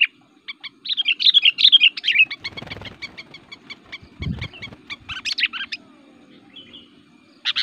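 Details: Sooty-headed Bulbul, a provoking fighting singer used as a lure: a tumbling run of slurred chirps, then a fast clicking series of short notes, a brief low thump, and a final burst of rising whistles.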